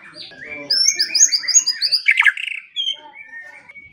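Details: White-rumped shama song for training silent birds, morning and evening: quick high whistled notes tumble downward in series, broken by a harsh buzzy burst, then thin fading whistles.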